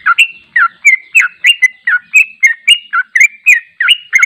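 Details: Long 'ropel panjang' song of a sooty-headed bulbul (trucuk), unedited and used to train other bulbuls: a dense, lively stream of quick chirping notes, each slurring between higher and lower pitches, delivered without a break.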